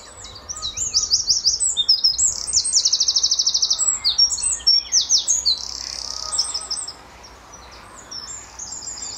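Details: Lively Eurasian wren on an early March 2014 morning at Standalone Farm, Letchworth, answering a neighbouring wren: loud, fast, piercingly high cascade of trills and twittering notes that fades after about seven seconds, leaving a low background rumble.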